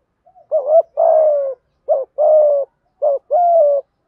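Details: Cooing of male and female spotted doves used to lure wild birds, three paired phrases of a short curved note and a longer falling coo, evenly spaced.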